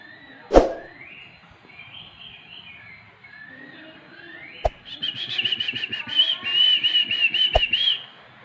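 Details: Oriental magpie-robin song meant to stimulate silent birds to sing: soft gliding whistles first, then a loud rapid run of repeated high warbled notes, broken by a few sharp knocks.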